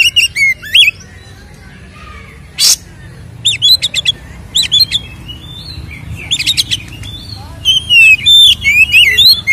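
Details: Captive-style white-rumped shama singing a fighting song meant to provoke other birds: clear looping whistles, quick repeated chirps about three per second, sudden harsh bursts and a bright rippling finish.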